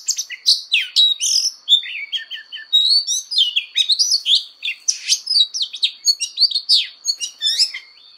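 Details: Oriental magpie-robin in fighting song and voice-training song, a dense run of varied whistles, sharp chirps and rapid slurred notes, nearly continuous with a steady high tone running beneath.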